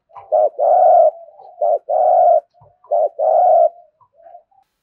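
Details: Three spotted dove thúc gù phrases in a row, each a short low note followed by a long steady buzzy coo, with soft murmured notes between them.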